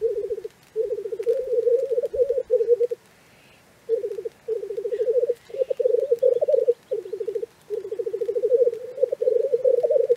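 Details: At a Black Grouse lek in Cairngorm National Park in early morning, black grouse give a low, bubbling, dove-like rookooing in rolling phrases of one to two seconds, almost without a break, with one short pause.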